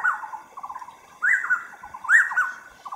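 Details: Taiwan scimitar-babbler giving clear swooping whistles, each rising to a peak and then breaking into quick falling chattering notes. Fainter rapid trills run continuously underneath, and several phrases overlap.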